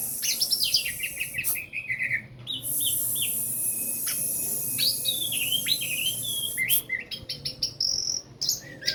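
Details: Post-moult orange-headed thrush in a rapid, varied song of rising and falling whistles and sharp high chirps, with one long level whistle midway and a constant high hiss behind.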